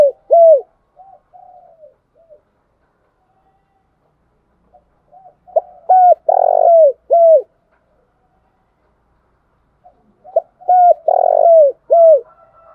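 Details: Spotted dove lure song used to stir up birds for trapping, called gáy gọi in Vietnam; soft low cooing phrases in bursts of several notes, with loud emphatic coos, separated by pauses of a few seconds.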